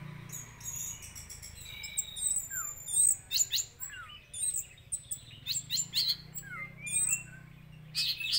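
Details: Orange-headed thrush song used as a lure recording to make another thrush agitated and sing: bright high whistled phrases, sharp downslurred notes and clustered chirps in irregular bursts, with a low background hum.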